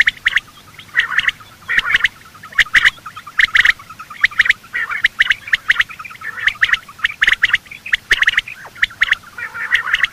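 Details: Quail, male and female, calling in the morning, a recording used to attract birds when hunting: rasping chirps in quick clusters, repeated steadily for ten seconds over a faint, even background.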